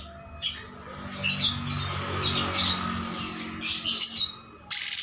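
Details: Master recording of a cream-striped bulbul: irregular high chirps and squeaky notes at moderate level, a short bright whistled phrase, then a quick stuttering trill at the end.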